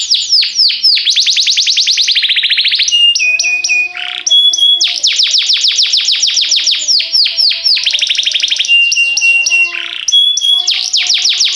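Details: Continuous canary training song alternating rapid trills of falling notes with clear, steady whistled tones, repeated in several varied phrases with almost no pauses.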